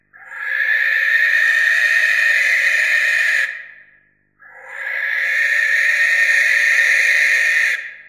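Barn owl giving two long, harsh, hissing screeches, each about three and a half seconds, broad and rasping with no tone or hoot.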